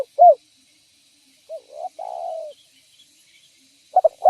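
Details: Spotted dove calling to attract other spotted doves: scattered low coos, a short note, a soft rising note and a drawn-out falling coo, then stuttering coos starting again at the end; otherwise quiet.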